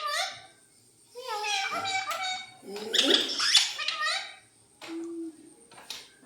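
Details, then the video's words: Pet parrot indoors in a home, calling in the morning to wake the family; a run of harmonic, speech-like chattering phrases in bursts, with a short level tone near the end and a faint steady electrical hum. "प्यारा तोता क्या बोलता है"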